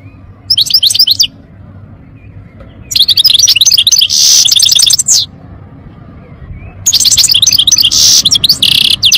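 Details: European goldfinch delivering bright, fast twittering song, a short opening phrase followed by longer runs of tinkling notes mixed with harsh buzzes, with clear quiet gaps between phrases.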